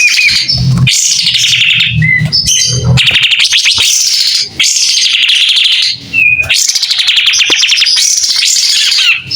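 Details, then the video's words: White-rumped shama in full song, tail fanned open. Clear, bright phrases of fast warbling and trilled notes, broken by brief pauses, over a faint low thumping and humming in the first three seconds. "Kapas tembak gacor buka ekor.. SUARA JERNIH"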